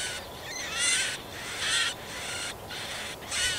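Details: Feeding of chicks by a Marsh warbler in a Yekaterinburg forest park, 30 June 2020; rasping buzzy calls repeated in about five bursts of roughly half a second each, with short gaps between.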